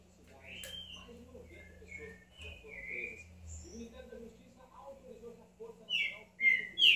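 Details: Green-winged saltator giving soft whistled notes with faint talking and low murmur behind, then two loud, sharp, rising whistles near the end.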